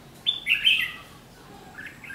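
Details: Red-whiskered bulbul decoy at a trap on 7 July 2016 giving a fighting song; one loud burst of rich warbled notes early, then a faint echoing reply.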